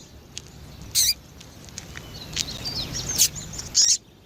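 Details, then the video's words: Female double-collared seedeater calling to stimulate males: a few sharp high chips mixed with thin, faint descending twitter notes and low background hiss. "Fêmea de Coleiro piadeira Para Esquentar coleiro"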